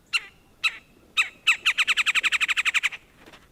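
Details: Red-bellied Woodpecker heard in a backyard: a few spaced sharp taps speed into a rapid even roll of about a dozen chuck-like knocks lasting over a second, then fading.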